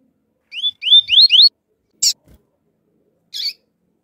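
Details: Double-collared seedeater male giving flute-like tui-tui song against a calling female: a quick run of four rising whistles, then two short high chip notes after a pause.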